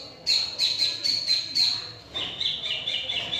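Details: Long-tailed shrike, noted as a mimic of other birds' songs, gives a run of harsh, scratchy chirps repeated about three per second, then a brief gap before a rougher, buzzier chattering burst.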